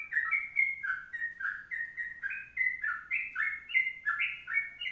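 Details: A Sooty-headed bulbul sings a long 'kongslet' tutor song of rapid paired whistled notes that gradually climb in pitch toward the end, with soft hiss in the background.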